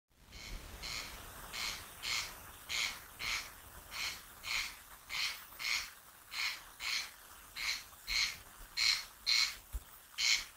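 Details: A male corncrake gives its territorial, mate-attracting crex-crex call, harsh double rasps repeated steadily about twice a second over a faint low rumble.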